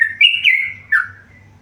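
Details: Short burst from a tame yellow-vented bulbul in full song: a rising whistle, a bright sustained note gliding down, then a lower slurred note, with a soft low hum beneath.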